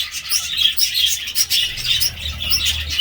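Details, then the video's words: Several budgerigars warbling and chirping at once, quick high twittering notes in a continuous stream, with a low droning hum rising near the end. "budgie sounds"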